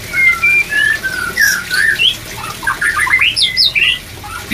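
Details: Song of the white-rumped shama for raising breeding urge. Clear drawn-out whistles lead into a rapid jumble of rising and falling notes, loud and close over a low hiss.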